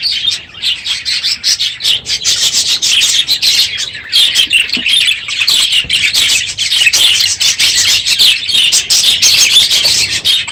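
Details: Loud morning chorus of numerous caged budgerigars in an aviary at the close of the breeding season: relentless shrill chirping and warbling from many birds, growing denser toward the end.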